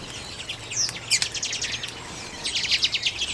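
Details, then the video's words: Common redpolls feeding on sunflower seeds in late January 2022, recorded with a Canon EOS M50: rapid dry chattering trills in bursts, a high thin whistle near the start, steady low hum beneath. "Auðnutittlingar - carduelis flammea - common redpolls"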